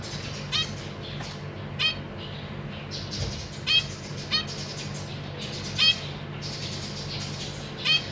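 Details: Caged zebra finch family, a pair with juvenile and newly fledged babies that practise flying while parents feed them. Repeated short nasal calls and chirps, roughly every second or two, with some overlapping bursts over low room hum.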